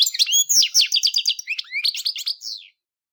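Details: Lively, quick goldfinch song from a pet or bred European goldfinch: a dense run of high chirps and slurred whistles ending in a few rising and falling sweeps before falling silent.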